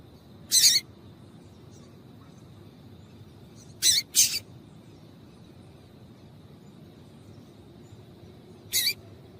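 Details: Papa-capim (double-collared seedeater) female call used to excite males into song: a lone high chip, a quick double chip about three seconds later, and a final single chip after a long gap.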